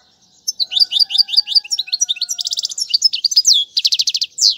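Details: Song of a European goldfinch used for teaching young birds: rapid high twittering notes in quick succession, a buzzy rattled trill after two seconds, then more twitters and a second dense trill, ending on a drawn-out note.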